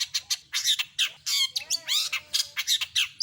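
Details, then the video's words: Long-tailed shrike in full song with imitated phrases. Loud, grating squawks and scratchy bursts come rapidly, mixed with thin, sliding whistled notes. "Masteran burung CENDET gacor isian lengkap"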